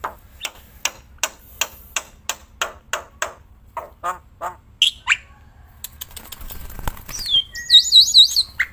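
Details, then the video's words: Black-winged myna singing tirelessly outdoors while handled: evenly spaced harsh chattering notes, roughly two per second, then a rasping burst and high, wavering warbled phrases. "Burung Jalak Putih Gacorrrnya Edan gak ketolong outdoor+ganggam tangan tetap moncer"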